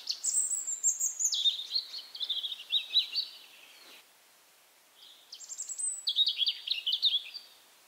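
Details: Wild European robin in Belarus's Berezinsky Reserve, late April, giving two song phrases separated by a short pause, each opening with a very high thin note then dropping into rapid warbled trills and twittering.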